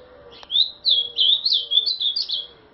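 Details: A kept ultramarine grosbeak (azulão) sings a smooth series of slurred whistled notes, each rising and dipping, over a low steady background hum.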